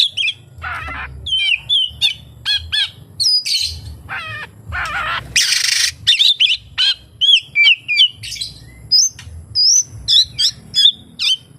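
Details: Oriental magpie-robin (kacer) singing a song full of kapas tembak imitations: rapid bursts of bright whistles, chirps and slurred phrases in short bouts about every half second, with one harsh buzzy burst and quiet low rumble.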